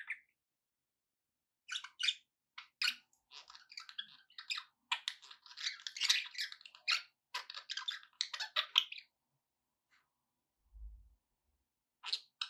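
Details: Budgerigar chirping to encourage a pet parrot to eat and sing: a long stretch of rapid, clicking, scratchy chatter made of many short buzzy notes, a quiet gap, then a last brief chirp.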